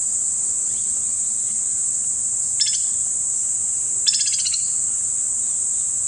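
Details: White-naped Woodpecker (Chrysocolaptes festivus) in Kanha National Park, Madhya Pradesh, India, gives two short, rapid rattling bursts of harsh, high notes, under a steady high insect hiss.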